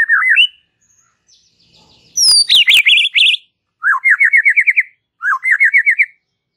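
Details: Relaxed chatter from a white-rumped shama, intended to stimulate young and wild-caught young birds. A short trill, then a loud burst of high sweeping whistles and zigzag buzzy notes with clicks, followed by two upslurred phrases of fast wavering pulses.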